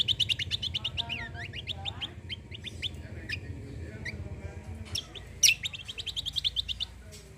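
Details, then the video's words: Cucak kombo singing busily in full bursts as a lure to prompt other birds: dense rapid high chirps with short slurred notes, a brief pause, then more quick chirp runs over low rumbling noise. "KECIAL KOMBO CUCAK KOMBO GACOR FULL TEMBAKAN BESETAN || UNTUK PANCINGAN BUNYI BURUNG BAHAN"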